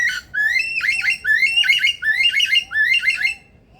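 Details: Male Superb Lyrebird, a mimic of other birds, car alarms, ringtones and machinery, in a zoo rainforest aviary, pours out loud, rich, ringing sweeping and warbling phrases about every three-quarters of a second over a faint low tone.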